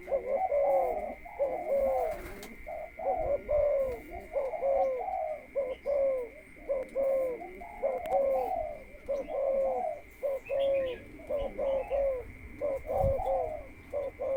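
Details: Captive spotted dove used as a ground decoy bird, being conditioned before going into the breeding cage. It gives rhythmic, low, mellow cooing phrases in steady runs of about one per second, with a constant high electronic tone behind.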